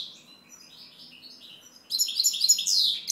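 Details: European goldfinch twittering: soft, high scattered chirps for nearly two seconds, then a louder dense burst of quick tinkling notes and slurred whistles.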